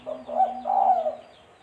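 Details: Spotted dove coo, used as a trapping lure: a short soft note, then a fuller coo and a longer wavering one, all low and hollow, trailing off into quiet with a steady background hum.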